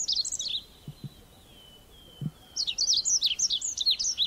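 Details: Short burst of high, sharp chirps from a red avadavat, then near silence broken by a faint thin whistle and soft knocks, then another long run of quick piercing twitters.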